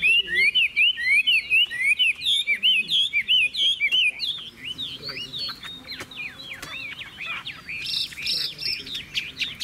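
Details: Caged Chinese hwamei in full song: long bursts of loud, looping whistled notes delivered quickly, changing midway to sharper, falling slurred phrases and brief high chatter, with a faint hum beneath.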